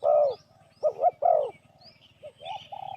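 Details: Spotted dove lure call used to attract wild doves: a short burst of low, husky coos, one drawn-out note followed by paired rounded notes, then softer fragments, with faint thin high chirps from other birds behind.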